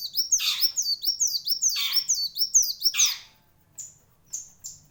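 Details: A purple-throated sunbird delivers sharp, lively song: fast high downward-sweeping whistles mixed with harsh raspy bursts, then a pause and a few isolated thin high notes.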